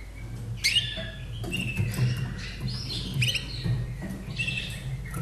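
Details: Caged Slavujar, Austria, hatched 2011, sings soft slurred whistles and short trills in loose phrases, with gentle sweeping notes and a constant low rumble beneath.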